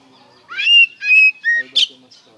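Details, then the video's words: White-rumped shama phrases played to make shamas answer, three clear whistled notes, rising then level, ending in a short harsh burst, over a faint low hum. "PANCINGAN SUARA KACER NGEPLONG GACOR DIJAMIN NYAUT KACER BAHAN"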